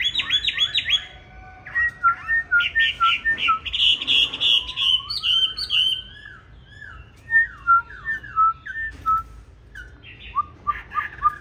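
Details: 'Lục Đậu Thanh' Chinese hwamei delivering competition fighting song for training other birds to sing softly: bursts of rapid notes, then clear descending whistled slurs repeated in varied phrases with short pauses.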